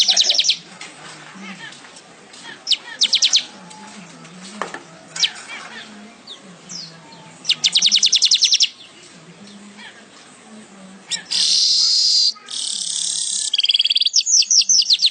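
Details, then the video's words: Weaver song used as a tutor recording for songbirds: bursts of rapid high buzzy trills and chattering notes separated by pauses, with a loud sustained harsh rattle near the end and a low hum underneath. "#MANYAR #GACOR Buat masteran burung kicau juga boleh."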